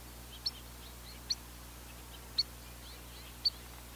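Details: Four clear, sharp high peeps from a spotted sandpiper, about one per second, with faint soft chirps from other birds behind.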